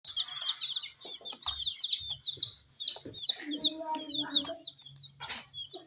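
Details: Tiny coloured chicken chicks eating spicy Sun Poppers snacks, giving a steady stream of high, thin downslurred peeps about twice a second, with a brief lower tonal sound in the middle and soft clicks and rustles.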